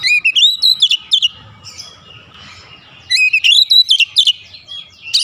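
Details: Agitated Oriental magpie-robin pouring out its learned fill phrases: bursts of bright, rapid whistled and chirped notes that bend up and down, then a quiet gap of about two seconds, then another quick burst.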